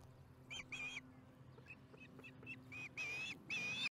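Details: Quieter osprey chatter from the Charlo nest at dinner time, July 15, 2019, 4:30 pm MDT: whistled chirps with faint notes between them, louder drawn-out whistles at the end, over a background hiss and hum.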